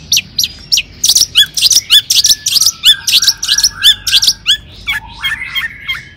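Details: Long-tailed shrike song used to make other shrikes sing. Strident, scratchy notes repeat nearly three times a second over lower whistled phrases. Varied warbled whistles close the sequence.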